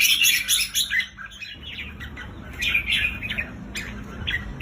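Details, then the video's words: Red-whiskered bulbul song used to stir up birds kept at home: loud rapid chirps and warbled phrases in quick bursts, a pause near the middle, then renewed chattering over faint low rumble. "เสียงนกจุกริก เปิดให้นกที่บ้านคึก"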